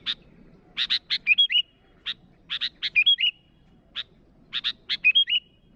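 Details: Sooty-headed bulbul calling rivals, repeating a pattern of two or three harsh chips followed by a bubbly whistled flourish, about every two seconds, with single chips between phrases.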